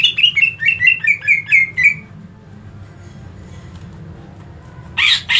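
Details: Greater green leafbird (cucak ijo) in aggressive fighting-call mode, pouring out a fast series of about ten harsh, slurred chirps sliding downward for two seconds, then a pause over low hum before a loud rasping burst.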